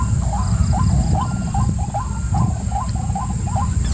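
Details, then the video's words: Repetitive series of brief upward-sweeping notes from a white-breasted waterhen, some doubled, with loud low-pitched rumble and a faint continuous high whine behind. "White Breasted Waterhen"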